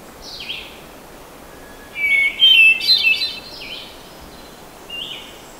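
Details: Ethereal hermit thrush phrases: a few soft whistled notes, then a louder ringing, tumbling phrase of high flute-like tones, fading back to a quiet note.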